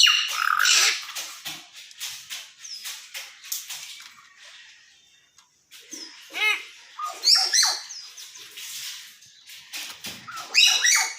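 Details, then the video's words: Common hill myna talking: a string of sharp clicks and short whistled notes, then a loud cluster of ringing, harmonic syllables near the middle and more bright chatter toward the end, with a brief quiet gap between. "Talking Hill Myna"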